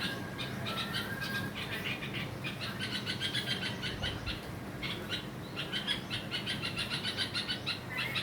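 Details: A red-vented bulbul (Pycnonotus cafer) gives an alarm call, scolding a lizard to protect its young: harsh, scratchy scolding notes in quick bursts, close together, over a low background rumble.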